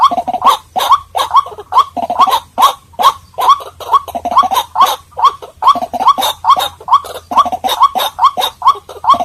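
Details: White-breasted waterhen calls played as a lure to attract birds: harsh, nasal croaking notes repeated rapidly, a little over two per second, in a steady rhythm over a faint low hum.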